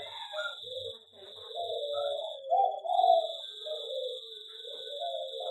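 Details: Zebra dove, a local perkutut kept in an aviary, sings a soft, rolling series of low coos that rise and fall. A steady high electrical-sounding whine runs underneath.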